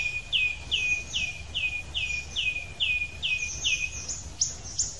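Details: Wild Icterine Warbler singing outdoors: one clear downslurred whistled note repeated about every half second, nine times in a row, then a couple of higher sharp notes, over a faint low background rumble.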